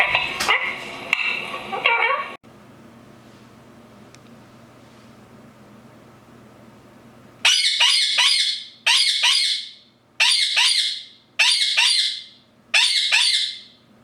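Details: Pet rose-ringed parakeet indoors in a small room: after a brief harmonic call and a quiet stretch, six harsh, high, rasping screeches come about every 1.3 seconds, each loud and abrupt with a short fading tail.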